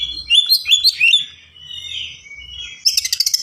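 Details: Caged white-rumped shama (kacer) singing a fast, dense, varied song for training other birds: whistled and slurred phrases rising and falling, followed by a rapid burst of repeated sharp notes at the end.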